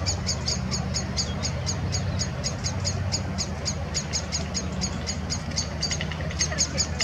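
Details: Blackbird scolds two jays that entered its nest tree and chases one off; a long run of quick, high, clipped alarm notes at a fast even rate, with a low constant rumble and a few extra faint notes near the end.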